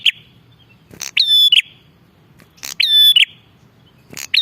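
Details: Bar-winged prinia calling energetically, used as a lure: three loud phrases, each a short rattle, then a piercing level whistle with a buzzy tail, roughly one and a half seconds apart.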